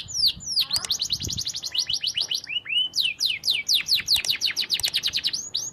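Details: Canary singing nonstop as a model for other canaries, with repeated steep downward-sweeping whistled notes in quick series, some deeper swooping slurs, delivered at a lively rhythm.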